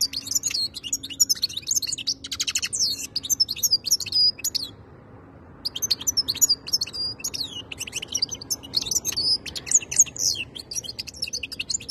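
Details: European goldfinch in full song: tinkling, chattering twitters and short buzzy trills for about four seconds, a one-second silence, then more bright warbling phrases with occasional piercing whistled notes.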